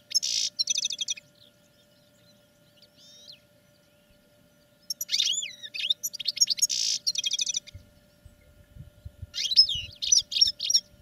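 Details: European goldfinches kept in cages for training sing in scattered bursts of tinkling, high twitters, a few clear slurred whistles and long quiet gaps, with a dense run of notes mid-way.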